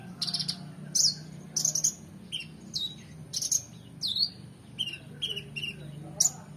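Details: Oriental magpie-robin in full, varied song for training competition birds: separated phrases of sharp upslurs and downward-swooping whistles, each note crisp and bright, spaced about half a second apart.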